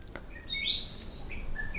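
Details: White-rumped shama (murai batu) giving a short run of clear, high whistled notes, a brief rising slur then a sustained bright tone followed by softer separate whistles, over faint low background hum.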